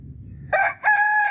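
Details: Rooster crow opening, two strong harmonic bursts, the second steady and sustained, over a low background murmur.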